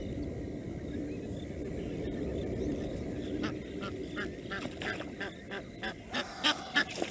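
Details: Blacksmith lapwing at Nkorho, 22 September 2022, disturbing ducks into the pond, gives sharp, metallic clinking notes in quick, uneven bursts that grow louder toward the end, over a low background rumble.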